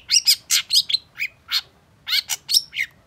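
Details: Long-tailed shrike in energetic, emotional song, used to stimulate a bird that has stopped singing: rapid bursts of harsh chattering and sharp high chirps, bright whistled notes slipped between them, grouped in quick runs with short pauses.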